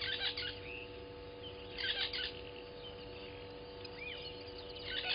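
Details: Morning at Gowrie dam, Djuma Game Reserve, South Africa (07:30, 12/06/20), where Southern masked weavers have arrived. Short buzzy, crackling bursts come roughly every two seconds, separated by quieter gaps with a few thin rising notes and a steady hum.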